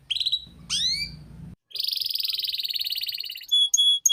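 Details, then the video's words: Master song of a canary, meant to get young birds singing early. A few high whistled sweeps give way to a long, fast, buzzy trill, then short bright piping notes, over a low background hum. "PANCINGAN Kenari PAUD Agar Cepat Bunyi || MASTERAN Burung KENARI Gacor Panjang"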